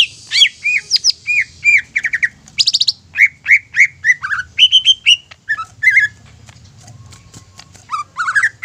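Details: Greater green leafbird song meant to provoke other leafbirds into agitated, continuous singing: a long, varied run of quick whistles, slurred notes and short trills, a pause of about two seconds, then more rising whistled notes.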